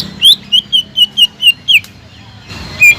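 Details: Greater green leafbird singing as a lure for silent birds: seven quick, evenly spaced whistled notes, each a short downward slur, followed by a pause with background hiss and one final high whistle.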